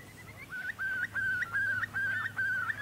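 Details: Eastern curlew at Port Hacking as migration preparations begin, birds feeding on crabs and nippers: a loud run of about six clear whistled notes, each ending in a quick upward flick, repeated roughly every third of a second over a low background hum.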